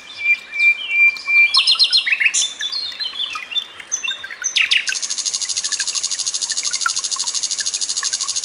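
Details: Common nightingale song mixed with trickling water for tutoring cage birds. Clear whistles and quick rising and falling notes give way to a long, fast, even buzzing trill that fills the second half.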